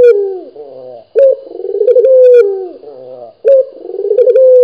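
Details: A vocal local Barbary dove coos twice in a row. Each phrase is a deep rolling purr, loud and clear, settling into a smooth held note and then a softer falling tail.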